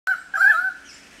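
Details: Pied currawongs trill with excitement around a powerful owl perched quietly with prey remains in its claws, at Manly Dam National Park near Sydney, Australia. A loud, ringing, steady-pitched call follows a short clipped note, then fades.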